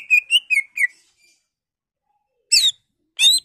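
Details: Greater green leafbird song used to spur other leafbirds into singing: a run of four bright, slightly wavering whistles, a long silence, then two harsh buzzy chattering notes.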